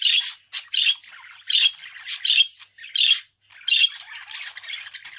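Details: Budgerigar in rhythmic, squawky chatter: loud rasping notes repeat about every three-quarters of a second over a steady underlayer of softer warbling.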